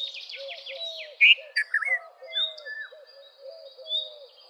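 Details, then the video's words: Red-vented bulbul singing short, loud, bubbly phrases in mid-clip over a busy dawn-like chorus: high buzzy trills from other birds and a steady low, repeated hooting note throughout. "Red-vented Bulbul Song ! Red-vented Bulbul Call ! Red-vented Bulbul Sound! Red-vented Bulbul Vocals"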